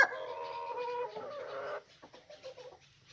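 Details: Rooster giving a harmonic, slightly wavering call for about two seconds, with layered tones held steady, then fading into quiet, faint clucking-like murmurs and soft background noise.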